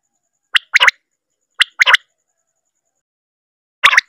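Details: Common quail giving its sharp, liquid three-note call, a short clipped note then a quick pair, repeated about once a second with a pause.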